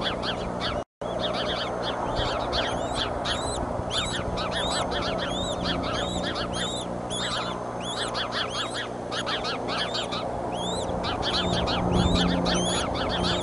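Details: Mother eagle's outburst at the nest in Decorah on 30 March 2015, with two eaglets present: a dense run of high, sharp chirping notes, about four a second and unevenly spaced, over a steady low hum.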